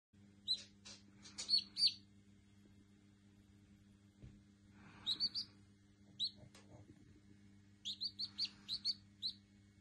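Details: Lavender Araucana chicken chick giving thin high peeping calls in short clusters of three to six notes, with pauses between, over a steady low electrical hum and faint rustling.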